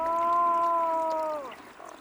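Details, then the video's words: A black-throated loon in the far-north Lena delta region of Russia, around the Ust-Lensky reserve, gives one long, steady, mournful wail likened to crying or moaning, holding a level tone before sliding downward and fading. "également rencontrer le huard à gorge noire ici, qui émet des sons inhabituels similaires à des pleurs ou des gémissements. Les scientifiques"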